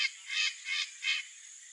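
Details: Wild blue-winged macaw in natural habitat in the Brazilian Cerrado, giving four harsh, raspy screeches evenly spaced about a third of a second apart, with steady background hiss.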